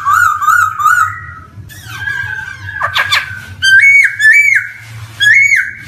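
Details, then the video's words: Black-throated laughingthrush (poksay hongkong) song meant to prompt young birds to start singing: wavering whistles, a scratchy passage with sharp clicking bursts, then loud upslurred whistled notes in a series, over a quiet low hum. "PANCINGAN SPECIAL BUAT POKSAY YANG BARU BISA BUNYI | GARULLAX CHINENSIS SONG"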